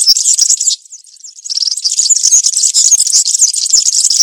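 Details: European serin singing country style in the forest, a continuous high-pitched, scratchy jingle of very fast notes with a single short dip in the middle.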